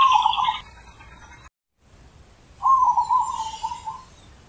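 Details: Wild zebra dove in deep ulem-style manggung: a trilled coo cut off at the start, a brief gap, then a longer, steady, rolling coo phrase with faint higher bird calls behind.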